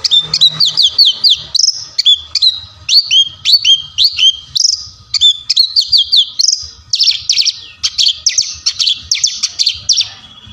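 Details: ['Orange-headed thrush in full, vigorous song: quick runs of sharp, downslurred whistled notes repeated in short phrases, then dense buzzy trilled bursts toward the end, loud and clean with little background.']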